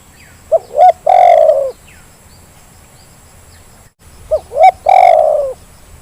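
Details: Zebra dove lure call meant to set quiet birds calling: two phrases about four seconds apart. Each has two quick upward coos and then a sustained rolling, slightly drooping coo, over low steady background noise.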